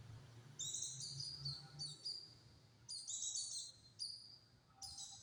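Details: Caged-style white-eye tutor song with close-set phrases for teaching other birds: high, rapid, chattering twitters in four or five sharp bursts, with steady low background rumble.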